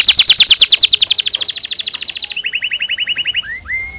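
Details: Energetic canary song for training young canaries: a long, very fast high trill of identical notes, dropping into a slower, lower trill of clipped notes, ending with two rising whistles.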